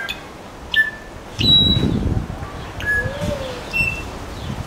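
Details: A coleto at Attica Zoological Park, Athens, gives scattered short, pure whistled notes at varied pitches, some high and thin, one lower and slurred, over a low background rumble.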